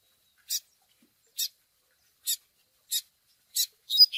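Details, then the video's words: Chick begging calls of the Double-collared seedeater, played to train males: six short, harsh, high chips spaced almost evenly about one second apart, with a whistled phrase just starting at the end. "Tui Tui Zel Zel com Piado de Filhote Para Encarte de Coleiro Pardos!!!"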